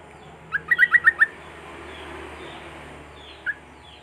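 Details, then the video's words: A quick burst of about six bright, rising chirps from a Sooty-headed bulbul, used to prompt silent bulbuls to sing, followed by quiet and one lone note. "Pancingan Suara Trucuk Macet Bunyi"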